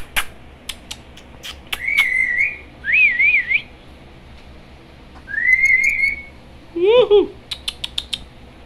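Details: Parrot conversing with its owners in a small room: several wavering whistled phrases separated by pauses, a lower hoarse speech-like note, and scattered sharp clicks.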